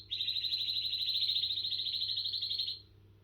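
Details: Canary giving one sustained high rolling trill lasting nearly three seconds, steady in pitch, then stopping.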